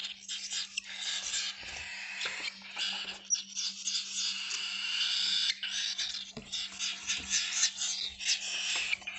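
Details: Baby cockatiels in a San Diego bird shop: broken, scratchy, hissing bursts rising and falling in loudness, with short gaps between them and a low steady hum in the background.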